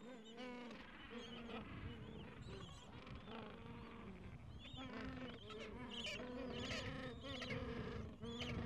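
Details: Gentoo penguin chicks about two weeks old, pressing under their mother against cold wind; hoarse, honking calls overlap in a steady colony din, with rapid brief notes running throughout and faint voices underneath.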